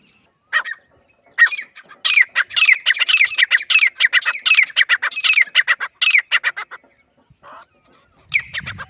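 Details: Grey francolin, known locally as teetar, giving a loud, harsh call: a fast run of about a dozen grating, squawking notes repeated roughly once per second, with a brief pause and a new burst near the end.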